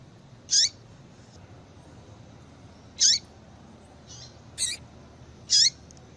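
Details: Female yellow-bellied seedeater calls used to get males singing. High, clipped notes with a descending tail repeat about every two and a half seconds, with one harsher burst and a soft buzz between them. Light hiss underneath.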